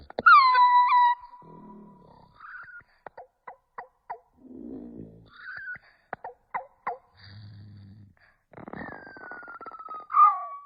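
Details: Starling imitating sounds like a human: a loud steady whistle that drops and holds, then low murmuring noises, short clicks and chirps, and a falling whistled note at the end, in a quiet indoor setting.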